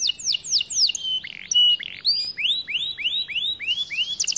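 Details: Song of a white canary, a quick succession of varied whistled phrases: descending slurs, short buzzy notes, then a row of rising curved whistles repeated about twice a second, ending in a rapid trill.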